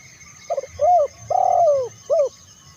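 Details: Spotted dove cooing to lure others of its kind: a quick broken note, a smooth arched coo, a long descending coo and a brief final coo, repeated phrase clear over faint hum.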